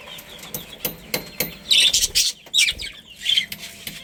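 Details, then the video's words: A budgerigar colony, with soft ticking and rustling in the first half, then louder bursts of bright chattering chirps from several birds. "Cute Budgies Chirping Sounds"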